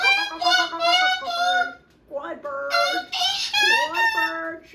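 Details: Pet Moluccan cockatoo indoors, chewing and playing with a new box, letting out loud full-volume screams: harsh, richly harmonic bursts in three long blasts separated by brief pauses.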